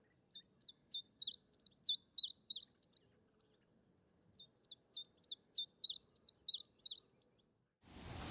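A chiffchaff repeats its two-note song, sharp high chips alternating chiff-chaff about three per second, in two runs with a short pause; a burst of noise ends it.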